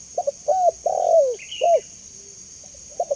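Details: Spotted dove calling, used as a clear lure and training sound for doves: two soft short notes, a mellow coo, a long drawn-out coo falling at the end, then a clipped coo; faint higher chirp from another bird over a steady high hiss.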